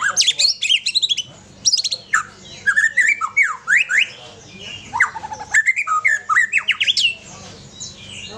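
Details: White-rumped shama singing a varied song of loud whistled and rapidly slurred notes in quick bursts, some phrases sweeping up and down, with short pauses between phrases; another bird is present as a companion.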